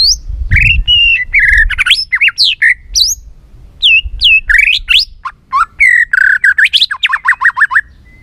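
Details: White-rumped shama in varied, many-voiced song: high falling whistles, twisting slurred phrases and harsh notes, ending in a rapid string of repeated dropping notes, with a low thump near the start.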